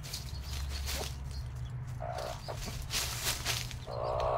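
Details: Mother hen with five-day-old chicks: two low, throaty clucks stand out among bursts of rustling and scratching, with a low hum underneath.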